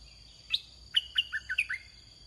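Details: Caged decoy red-whiskered bulbul luring wild birds. One short, sweet phrase: a high opening note, then a run of clear whistles dipping lower, with a steady high insect hum in the background.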